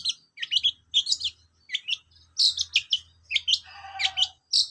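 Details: ['Long-tailed shrike giving a jumbled, varied song of scratchy chirps and squeaks, with one lower rattling note near the end and a quiet hum behind.']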